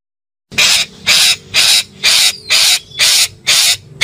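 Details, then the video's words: Calling parakeet giving a steady series of seven loud, harsh, buzzy screeches, each about a quarter second long, repeated about every half second with no other sounds. "KICAU BETET MEMANGGIL"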